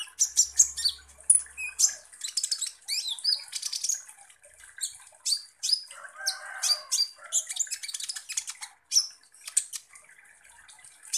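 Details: Sunbird (kolibri ninja) lure song meant to provoke other birds: a long run of sharp, high ticking notes and squeaky twitters in irregular bursts, with a short rougher, lower chatter partway through.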